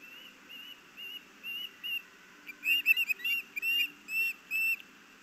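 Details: Two ospreys squabbling on a nest in Missoula, Montana, late August: a run of sharp whistled chirps, steady and soft at first, then louder and more rapid, crowding together in rising and falling notes, with faint low hum beneath.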